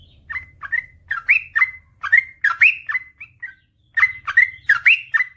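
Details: Trucukan, or yellow-vented bulbul, singing a lively 'ropel panjang' master song meant to stir quiet birds: chuckling, slurred whistles in quick clusters, a brief gap near the middle, then another burst, over a faint low rumble.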